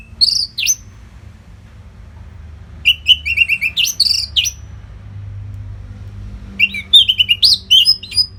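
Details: Orange-headed thrush singing without pause, a tutor song for conditioning competition birds: three rich bursts of rapid, varied high chirps and whistles separated by short silent gaps, with low rumble beneath.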